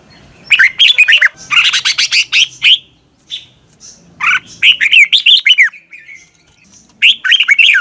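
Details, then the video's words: A red-whiskered bulbul sings its morning song, recorded as lure song for training birds. Nearly unbroken runs of lively, slurred whistles and chirps pour out in overlapping phrases, with only brief pauses. "Luyện chào mào hót sáng"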